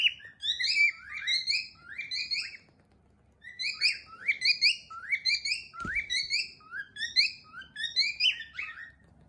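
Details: Overlapping chirpy whistles from a household group of cockatiels, quick downward-sliding notes in tight clusters, with a short gap and one soft knock partway through.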